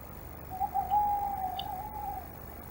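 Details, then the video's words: Tawny owls at Loch of the Lowes, Scotland, calling from somewhere out in the dark: one long, quavering, wavering hoot held for over a second and a half over steady low background hiss. "Tawny Owls out there somewhere"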